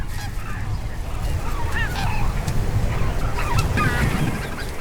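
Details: In autumn after harvest, a flock of wintering geese, likely greater white-fronted geese, on rice fields inside the Cheorwon DMZ area calls in overlapping honks and yelping notes, several a second, over a steady low rumble of wind or distant noise.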